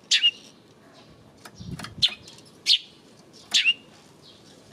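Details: Eurasian tree sparrow on 28 May, giving isolated loud chirps, some doubled, at intervals of about a second, with a faint low rustle in between.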